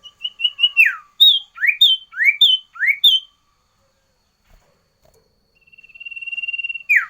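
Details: Sooty-headed bulbul giving a loud, varied song: a run of short whistled notes, then clear rising and falling slurred whistles around one second apart, a pause, and a long even buzzy trill ending in a sharp downslur.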